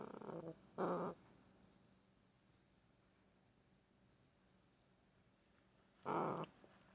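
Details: Green-winged macaw kept as a pet, snuggling against its owner, utters short harsh grunts near the start, falls silent for several seconds, then gives one more rough grunt near the end.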